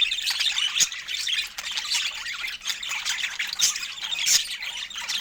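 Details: Budgerigars kept as pets at fruit time, giving busy overlapping high chirps and rasping squawks in a steady warbling chatter, with a few sharper clicks standing out.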